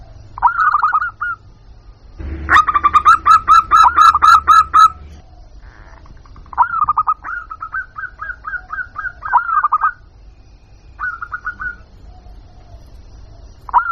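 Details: Local zebra dove calling as a lure for wild birds: a loud burst of rapid rattling coos, then runs of clipped upslurred notes separated by pauses, over a faint low hum.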